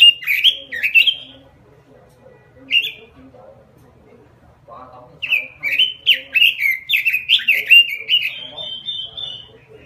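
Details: Robin in a small cage singing gacor (vigorously): short bursts of warbled high notes early on, a gap, then from about five seconds a long fast stream of bouncing, slurred whistles; soft low hum underneath.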